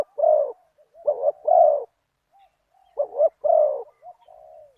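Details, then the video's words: Spotted dove (nok khao yai) used as a decoy to draw in a target bird, with a 'big voice, one kuk' coo. Deep mellow coo phrases alternate with soft, distant-sounding answering coos in the pauses. "ต่อนกเขาใหญ่ ตามตัวหมาย เสียงใหญ่ 1 กุก"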